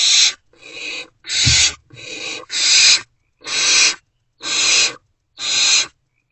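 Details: Barn owls at an occupied nest box at night, 2:15–2:33 am on 28 February 2024, during food deliveries; eight harsh, raspy, broadband hisses, each about half a second, repeated roughly once a second in a steady series.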